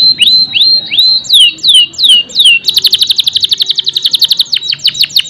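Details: Canary delivers a run of rising then falling whistled slurs roughly every third of a second, switching into a long rapid rattling trill of sharp notes and closing with swooping whistles.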